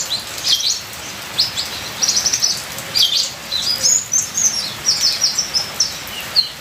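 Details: Ninja sunbird singing energetically: bursts of very high, buzzy trills and rapid chip notes in close series, some rising sharply, with rain sounding steadily in the background.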